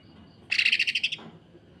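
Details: Greater green leafbird in a brief, coarse, rapid 'sewing machine' phrase. Under a second of quick, raspy, buzzy pulses is followed by silence.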